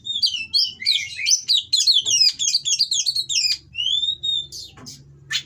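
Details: Breeding-condition caged Oriental magpie-robin singing rough material to stir rival birds; dense, rapid looping whistles and chatter, then a long clear rising whistle and a few harsh notes, with faint low hum.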